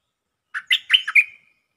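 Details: Caged lure bird, a stripe-throated bulbul, sings a lively five-note warbling phrase with slurred, bubbling notes and a thin whistle to finish.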